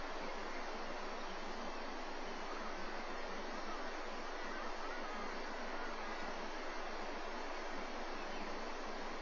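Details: Steady rushing noise like wind or running water throughout, with no animal voice.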